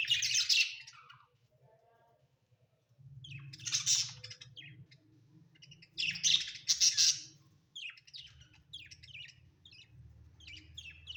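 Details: Budgerigars kept as pets indoors, producing harsh scratchy chatter bursts and trains of quick high chirps, over a steady low background hum.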